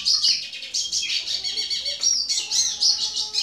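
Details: A Hooded Siskin singing to a female Belgian canary: a fast, unbroken stream of high twitters, trills and buzzy notes, with occasional thin whistles mixed in.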